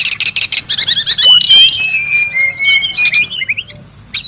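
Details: Brown-chested jungle flycatcher calling busily in the wild, recorded for luring and tutoring: a loud cascade of high whistles and falling slurs, then long steady whistled notes and a final rising phrase.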